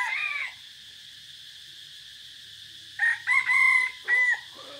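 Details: A decoy red junglefowl crows, 3 April 2024, with forest touring: a crow ends at the start, then after silence a new crow comes in choppy bursts, harsh and wavering, with a steady background hiss.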